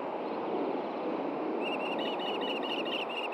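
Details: Osprey female and male at a nest in Hellgate Canyon, Montana, June 2014 morning fish delivery; after a second and a half of steady rushing noise, a brisk series of clear, whistled chirps follows.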